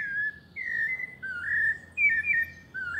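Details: Quieter recording of a pale-breasted thrush's melodious paulista-style song, several drawn-out sliding whistles over a steady low hum and background hiss.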